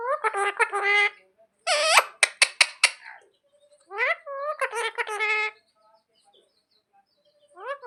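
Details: Parrot mimicking human speech, "mummy papa": voice-like harmonic phrases, a crisp clicking stretch, then more word-like syllables, with clear silent gaps between phrases.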